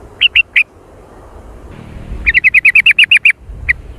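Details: Sooty-headed bulbul lure call in the noisy jontrot style: three spaced chirps, a pause, then a fast run of about eleven sharp, slightly falling notes, ending with one final chirp.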